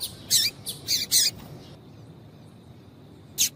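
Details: A female double-collared seedeater gives its male-stimulating call: a few loud, high, rasping chips in quick succession, a long silence, then one final note.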